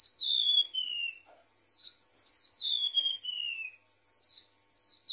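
A Golden-bellied Gerygone sings a run of high, thin, sweet whistles. Each note slides downward, linked into a wistful, wavering phrase over a quiet background.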